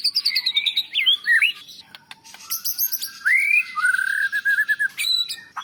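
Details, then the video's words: Champion white-rumped shama sings a descending string of quick notes, looping whistles, then a long rising whistle and a rattling warble, played to teach and encourage other caged birds. "Suara Murai Batu Juara Nasional Untuk Masteran & Terapi Burung Drop Mental"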